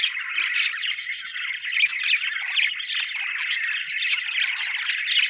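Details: Happy budgies warble in continuous scratchy chatter, with short chirps and squeaks overlapping and no pauses.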